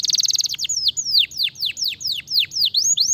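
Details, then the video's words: Stimulating canary singing opens with a fast rattling trill, then shifts into a steady string of high, downward-swooping whistled notes, roughly four per second, with a faint low hum beneath. "Fancy chirping"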